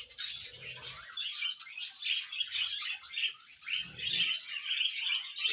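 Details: Budgerigar couple at home giving continuous twittering warble, bright high chirps and raspy trills run together with short dips, a few soft low thuds beneath.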